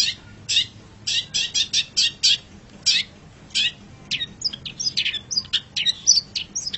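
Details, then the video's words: Long-tailed shrike in a masteran recording: a run of scratchy chips gives way to a faster, more varied twittering with thin whistled notes mixed in. "Masteran Suara Pentet Cendet"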